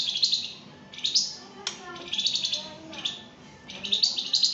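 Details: Flamboyan in energetic song on a training recording: high, sweeping chirped phrases broken by sharp clicks, with quick pulsed notes between them.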